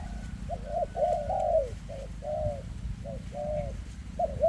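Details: A spotted dove with an ailing leg coos in very dense 'kèm rước' style: clipped paired notes and long, slightly quavering coos in steady succession, against a low rumbling background.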